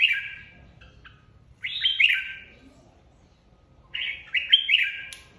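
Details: Competitive song of a red-whiskered bulbul that leads a flock and was just separated. Two loud, rich warbled phrases fall and slur, about two seconds apart, with near-silence between them.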